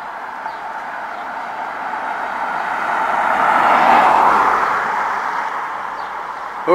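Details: A car swells past at close range and fades again, its whirring road noise drowning everything else, with no animal calls.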